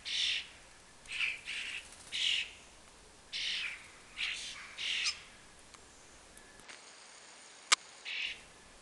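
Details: Common starling juveniles begging while following adults to a fat ball, the family nesting four storeys up; a string of grating, hissy screeches for five seconds, then quieter with a sharp click and one last screech.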